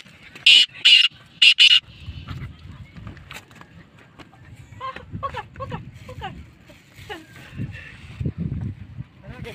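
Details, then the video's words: A black francolin (kala teetar, black partridge) after rain gives two loud, harsh, grating bursts in the first two seconds, followed by soft human voices and faint background noise. "Kala Teeter K Khobsurat Awaz"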